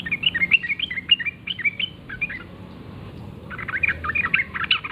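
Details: Sooty-headed bulbul in the wild at morning, forest setting: lively chirping phrases of short bright notes, first a string of rising-falling chirps, a quiet gap, then another chattering burst.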